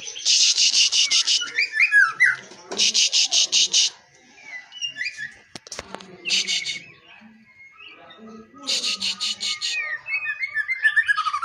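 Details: Song of a white-rumped shama mixing dense, fast, scratchy rattles with clear whistled slides that rise and fall, delivered in phrases of one to two seconds with short pauses and a single sharp click midway.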